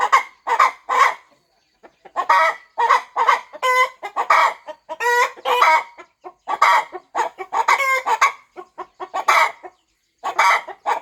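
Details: Mother hen clucking as she broods eggs on a farm nest before hatching; quick repeated rough clucks mixed with longer ringing, harmonic-rich notes, pausing briefly near the start.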